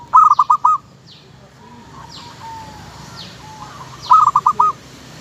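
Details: Local zebra dove singing two lively phrases of rapid cooing notes about four seconds apart. Faint coos sound between them, and soft high swishing sounds recur in the background.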